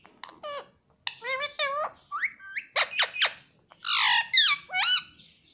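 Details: Pet green ringneck parrot indoors in a small room, imitating the words "mummy" and "papa": a run of harsh, nasal, rising and falling squawked syllables in short bursts, some stretched and wavering, with quiet gaps between phrases.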